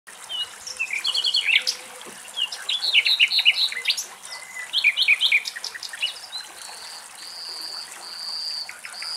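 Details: Nightingales singing in Greek nature; varied phrases of rapid repeated chips, sweet whistles and trills, ending in long drawn-out pure whistled notes, over a faint background hiss.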